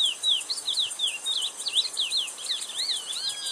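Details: Chestnut-bellied seed finch (curió) vocalizing: clear, high, down-slurred whistled notes in quick succession, with a few rising and arching phrases near the close, over a faint steady hiss.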